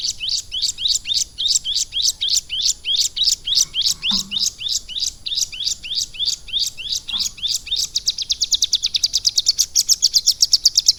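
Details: Ciblek gunung prinia kept in captivity and schooled in lovebird phrases: a long string of rising, sharp chirps at a brisk even pace, speeding near the end into a dense, buzzing high trill.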